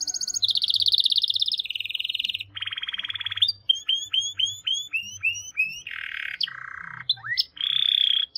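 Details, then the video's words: Canary song built from long rapid trills at shifting pitch, broken by a run of sharp upslurred notes, with a faint low hum underneath. "The most Unique and Beautiful Canary Singing"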